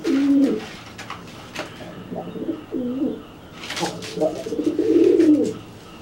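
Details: Pigeon threatening a wet, grounded bird after its bath with repeated coos. Several short, gurgling coo phrases are interrupted by a brief rustling burst.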